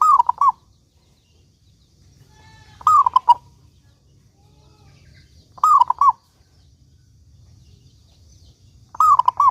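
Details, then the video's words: Zebra dove of local stock, a keen singer, used as a lure so other zebra doves will sing: four soft cooing phrases roughly every 2.8 seconds, a drawn-out falling coo then quick staccato notes. "Perkutut Lokal Gacor Suara Paling Ampuh Untuk Pancingan Burung Perkutut Agar Bunyi gacor"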